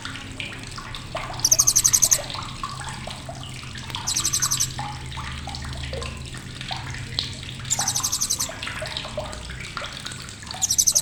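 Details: Sharp chattering from a blue-crowned hanging parrot, meant as a tutor recording for competition birds: four bursts of very high, rapidly pulsed notes spaced about three seconds apart, amid softer chirping and a faint low hum.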